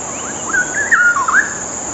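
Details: Cucak rowo song for training other birds: a single rich, fluty phrase of quick, looping whistled notes, rising then tumbling down, loud and clear over faint background hiss.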